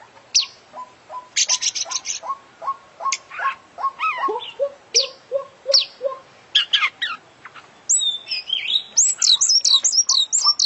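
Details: Kacer, or oriental magpie-robin, an international champion singing without pause in a song full of mimicry: a steady run of short mid-pitched notes about twice a second beneath high clicks, then a burst of rapid, twisting high whistles.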